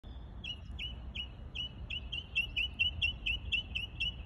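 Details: Mockingbird mimicking other birds, a clear whistled note with a downward flick repeated about ten times, speeding up toward the end, over steady low background rumble.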